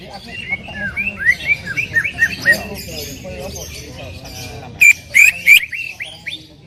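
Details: Greater green leafbird (cucak ijo) with varied twittering, upslurred and downslurred chirps for several seconds, then three very loud, sharp whistled bursts near the end, followed by a couple of softer rising notes.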